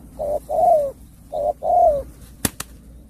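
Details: Cà Mau spotted dove giving bầu bạch đề song, two soft cooing phrases each made of a brief lead note and a longer slightly falling coo, ending with two sharp taps.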